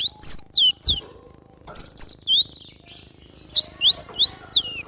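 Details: Energetic song of a wild cinereous tit: crisp high whistles, each falling sharply in pitch, repeated roughly three times a second in uneven groups.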